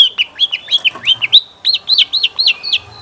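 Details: Long-tailed shrike lure song, meant to make other shrikes respond and sing. A steady run of hooked, arching whistles comes about six or seven per second, with one longer flat whistle midway.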